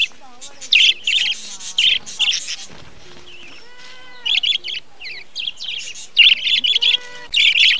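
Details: Many budgerigars in a breeding colony, 2020, chattering together: dense bursts of high, scratchy warbles and chirps, with a few clear whistled notes sliding up and down between bursts.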